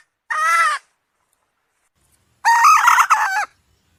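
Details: Two separate calls from a hen: a short, tonal squawk, a pause of nearly two seconds, then a longer, rougher note with a break in the middle; nothing else audible.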